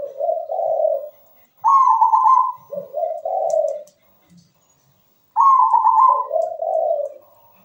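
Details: Local zebra dove singing steadily, its voice meant to coax silent birds into song: a low purring note, then a bright rolling coo dropping into two lower vibrating notes, the pattern returning after a pause.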